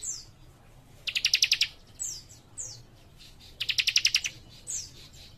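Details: Young leaf warbler (cikrak) giving rapid-fire song: high thin downslurred whistles repeated between two quick trills of about seven crisp ticking notes each, against a quiet background.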